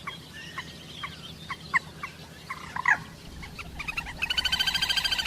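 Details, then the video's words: Common moorhen giving a run of short, sharp clucking notes, then a fast, even rattling series of pulsed notes building in loudness toward the end, over low background rumble. "Common Moorhen birds sound || Jal morgi ki awaz"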